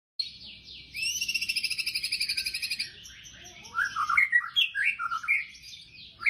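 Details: White-rumped shama singing in the fierce 'tembakan' style: a long run of rapid, evenly pulsed high notes in two bands, then bursts of varied whistled and slurred phrases jumping between pitches.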